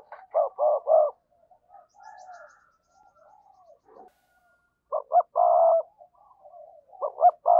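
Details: Decoy spotted dove cooing to draw in wild doves: a group of three rich, hollow coos, a quiet murmuring pause, then another loud phrase of coos with a longer held note, and a final short triplet.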